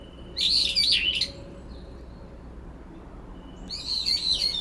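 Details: Brown-eared bulbuls, two birds disputing territory in a cherry tree in late September; a resident bird calls over an intruder to drown out its voice. Two bursts of harsh, warbling high calls, the second near the end.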